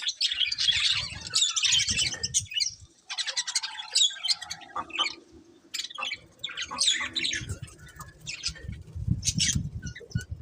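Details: Colourful budgerigars, a breeding pair, chirping with dense bursts of buzzy, scratchy warbles and squawks, broken by a short pause near three seconds; low thumps and knocks underneath.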